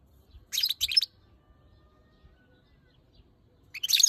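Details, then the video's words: Female European goldfinch, angry at the camera, gives two quick harsh buzzy bursts, then a pause of nearly three seconds before a third rasping burst. A soft low rumble sits underneath. "Goldfinch Call Female and Angry with Camera!"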